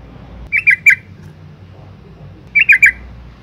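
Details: A female yellow-vented bulbul calls to lure males into singing. Two brief groups of three sharp, slurred chirps are separated by two seconds of quiet with a low background murmur.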